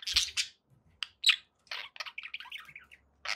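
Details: Happy pet budgies giving scattered bright chirps and a sharp squeak, then a run of quick chattering warbled notes, with faint low knocks in the background.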